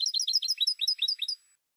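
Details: European goldfinch, Spanish bird from a silvestrismo song disc. It pours out a quick, even series of bright, bouncy chirps, about sixteen notes in one and a half seconds, then stops.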